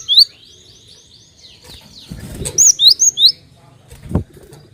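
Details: Cinereous tit lure call meant to prompt other birds to sing, high whistled notes scattered among other chirps, then a tight run of three or four bright whistles after a brief thump and rustle.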